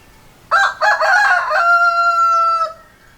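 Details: Rooster crowing loud and close: two short choppy opening bursts, then one long, steady, richly harmonic tone held for over a second before it cuts off sharply. The background is quiet.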